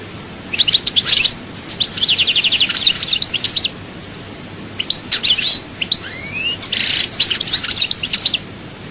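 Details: Goldfinch singing a chaayba-style song, Souk Ahras: quick tinkling twitters, a fast buzzy trill of even notes, then after a pause more chirps, upward slurred whistles and a harsh burst.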